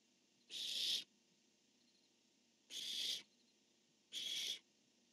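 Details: Barn owls on 10-1-15, male calling, female replying: three raspy half-second screeches spaced roughly two and one and a half seconds apart, evenly loud, hoarse and hissing, over quiet low hum.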